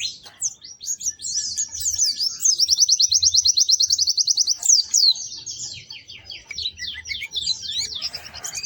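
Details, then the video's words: White-eye (pleci) singing strongly and melodiously: rapid, very high, buzzy trills and quick down-slurred chattering notes run together in a long, busy phrase with hardly a pause. A faint low hum sits underneath. "Kicau Burung PLECI GACOR MERDU"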